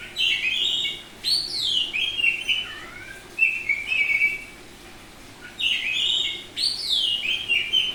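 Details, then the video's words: Oriental magpie-robin of the Bali type, semi-tame and in full prolific song, delivering near-continuous rich whistled phrases with sliding descending notes and warbled flourishes, one brief pause midway, faint background hiss. "Suara Burung Kacer Bali ngeplong"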